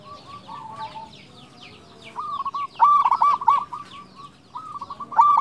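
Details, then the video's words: Singing local zebra dove (perkutut), a lure for quiet or stressed zebra doves, gives broken, rapidly stuttered cooing phrases after two seconds, while many small birds chirp higher in the background. "PERKUTUT LOKAL GACOR SUARA BESAR - Jagonya Mengundang Bunyi"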